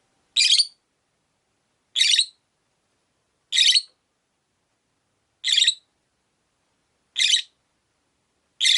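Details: Caged Rosy-faced lovebird, one of five at a window, repeating a short, rasping, high chirp about every one and a half to two seconds, six calls in a row with silence between.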